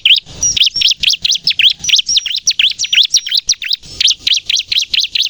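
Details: Bar-winged prinia singing loudly, used to lure wild birds and to prompt captive birds to sing: a rapid, steady run of sharp, high chirped notes, each rising then dipping, repeated about three times per second without pause.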